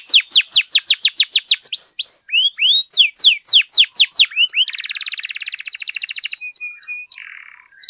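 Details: Canary singing to stir other canaries into song: a rapid cascade of downslurred whistles, then a dense buzzy trill lasting nearly two seconds, closing with short flat notes.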